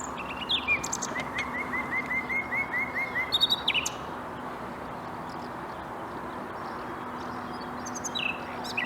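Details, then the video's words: Common nightingale singing near Bursa, Turkey, on 14 April 2021: a run of even, repeated whistled notes over about three seconds, then scattered sharp upslurred notes with pauses, above a steady low hum. "Bülbül sesi dinle-Common Nightingale"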